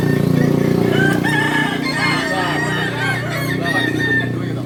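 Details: Several Kukuak Balenggek roosters, the singing chicken of Solok, give long, wavering crows that overlap one another, with a constant low hum underneath.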